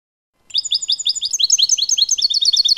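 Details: European goldfinch, 'limpio' clean song, 2019: after a short silence, a dense, fast stream of high tinkling and twittering notes that grows busier and more layered toward the end.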